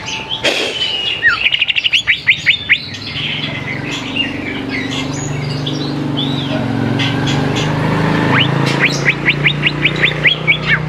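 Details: Greater green leafbird song for luring young birds into singing; bursts of rapid, sharp rising whistles and varied chirps over a steady low hum.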